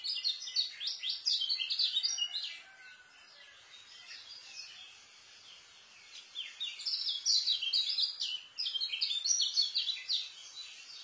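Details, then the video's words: White-eye giving its fast, tightly packed tutor song for young birds: rapid high chirps in two loud bursts of several seconds, split by a softer stretch of scattered notes. "KECIAL SPEED RAPET ISIAN,COCOK BUAT MASTER KECIAL BARU"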